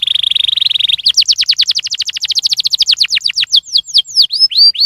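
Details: Canary song to prompt other canaries: a steady buzzy tone breaking into a fast trill of falling notes that gradually slows into separate swooping whistles.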